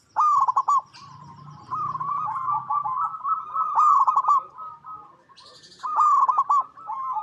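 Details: A local zebra dove (perkutut), used as a lure to prompt other doves to call, gives bursts of rapid, rolling, mid-pitched staccato coos, with long phrases running several seconds between short pauses.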